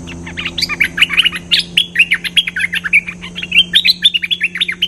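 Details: Cream-vented bulbul song used as a lure sound, a fast, bubbling chatter of short, warbled notes with no gaps, over a steady low electrical hum.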